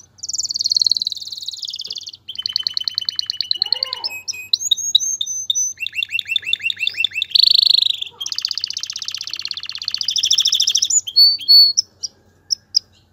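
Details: Male canary singing to stimulate a female to mate and build a nest, a long varied song of high rapid trills, rolling repeated notes, lower sweeping whistles and buzzy bursts, with brief pauses between phrases.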